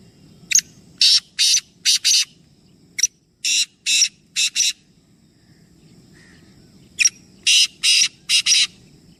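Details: Three black francolins (kala teetar) calling: three bursts of harsh, grating, rasping notes, each phrase made of about five loud scratchy syllables, the phrases spaced roughly three to four seconds apart over a low steady background hum.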